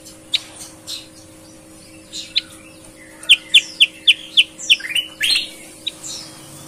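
A Sooty-headed Bulbul sings a bright run of about eight clear, evenly spaced notes, roughly three per second, with scattered higher chirps around it; a steady electrical hum underneath.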